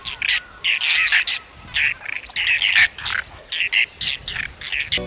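Whiskered Tern giving harsh, rasping calls, short bursts repeated several times a second, some overlapping, like a small busy group.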